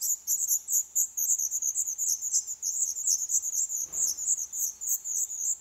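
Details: Nestling black redstarts, 11 days old, begging inside a nest in an old furnace pipe in a building awaiting demolition, Poland. Shrill, high chirps repeat rapidly and without pause, with a brief rustling bump near the end.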